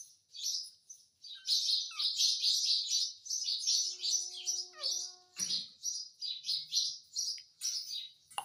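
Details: Indian ringneck parakeet kept as a pet and taught Hindi words keeps up a steady high buzzy chatter in rapid pulses, broken by a few thin tonal squeaks and a brief low thump indoors.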